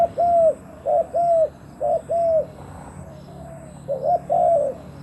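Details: Decoy spotted dove luring wild doves, calling in hoarse arched coos, mostly in pairs roughly a second apart, with a short pause in the middle before the cooing resumes.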